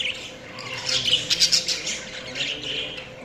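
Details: Budgies chirping: a dense, squeaky warble swells to a loud cluster of sharp notes and then eases into softer scratchy chatter.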